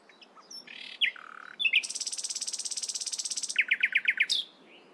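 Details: Morning song of a nightingale: short varied whistles and a buzzy note, then a long, fast, even rattle lasting about two seconds, ending with five sharp repeated chirps and a high slur.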